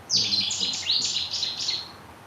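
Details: A Cetti's warbler (Cettia cetti), a year-round resident at Bickershaw Country Park, Wigan, gives a sudden, loud, explosive outburst of rapid high notes under two seconds, announcing its presence and seeking a female in spring; faint background hiss.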